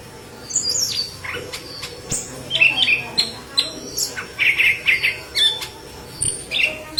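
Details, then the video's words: Yellow-headed leafbird in vigorous song for tutoring green leafbirds, giving clustered bursts of sharp, high twittering notes and brief whistles separated by short pauses, with a faint hum beneath. "Burung Murai Daun Kepala Kuning Gacor"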